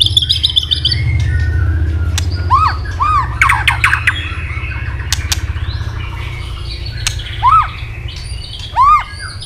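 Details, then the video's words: White-rumped shama stimulated into fighting song with tail flicking: clicks and harsh notes, then loud arched whistled slurs repeated at intervals, over steady low rumble. "chòe lửa đập đuôi liên tục kích thích lửa hót đấu nhanh căng"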